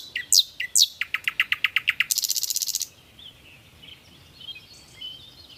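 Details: Nightingale song opening with two sweeping high notes, then a steady repeated chook-like series that speeds into a harsh, rapid buzzing rattle, followed by soft background birds and hiss.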